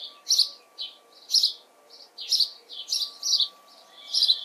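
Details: House sparrow in a garden with a bird feeder, June 2020, giving harsh, buzzy chirps in short bursts, about one a second, with a faint steady hum underneath.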